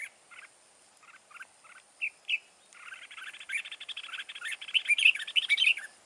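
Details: Red-whiskered bulbul, a wild-caught bird with a forest voice, used in fight trapping. A few short paired chirps lead into a fast, rich chattering warble with bright whistled notes that grows louder toward the end.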